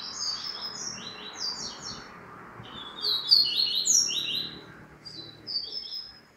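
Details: Double-collared seedeater delivering a continuous stream of quick chirps and slurred whistles, rising in intensity midway with bright, ringing notes before trailing off; soft background hiss throughout.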